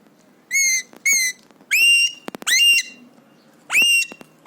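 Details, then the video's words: Happy pet Alexandrine parakeet, three years old, imitating whistles and screams. Five loud, clear harmonic whistled notes, each steady then slightly falling, spaced unevenly over four seconds, with faint clicks between. "Alexandrine Parrot Talking | Happy/Excited Parrot | Parrot imitates Cough & Whistles & Screams"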